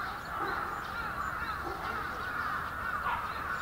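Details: A big flock of bramblings in Yoyogi Park, Tokyo, in February 2019, giving an unbroken, busy chatter of countless overlapping calls.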